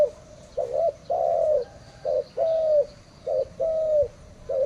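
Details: Spotted dove cooing: a series of soft, low, hollow coos, short notes alternating with longer drawn-out ones, repeated steadily over a faint background hiss.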